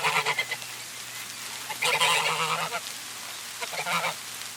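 A goose gives harsh, nasal honks, short bursts at first, then a longer ragged honking run and a final brief call, over a steady low hum.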